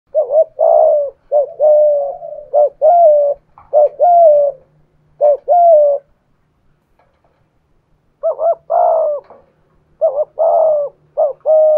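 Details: Spotted dove, a decoy bird cooing in the 'thổ pha thúc' voice style with 'gù' coos while challenging a wild dove: hoarse, mid-pitched two-part coos in rapid bursts, a pause near six seconds, then more clustered coos.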